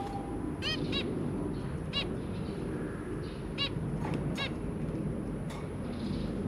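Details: Zebra finches, a pair with three babies, 23 January 2022: a handful of brief, nasal, stacked calls, one quick pair near the start, with a constant low hum underneath.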